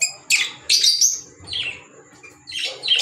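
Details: Short harsh squawks and chirps from pet green Fischer's lovebirds, three or four separate shrill calls spaced about half a second to a second apart.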